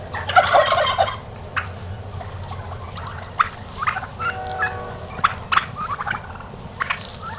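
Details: Strutting domestic turkeys owned by their keeper: a loud, dense gobbling rattle opens, then shorter gobbles and clucks recur every second or so against a low background hum.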